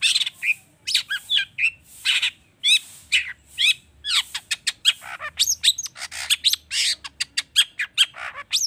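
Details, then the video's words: A long-tailed shrike's lively, mimicry-laden song used as a lure to make other birds sing: dense rapid chatter of high squeaks, trills and wavering whistles with hardly a pause. "Pancingan cendet emosi, full isian mewah"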